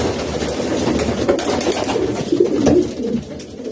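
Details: Low, rolling coos from racing pigeons, overlapping murmurs with a brief louder burst near the middle over a constant background rustle.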